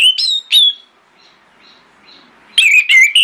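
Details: Morning lure song of an orange-headed thrush, sung to draw replies from other thrushes. Two or three clear, high whistled notes open, then a short silence, then a loud, warbling run of slurred whistles.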